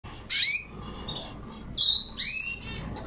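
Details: Male canary that has just finished molting and begun singing again: a few bright chirped syllables and one clear level whistled note, separated by short pauses, over a low steady room hum.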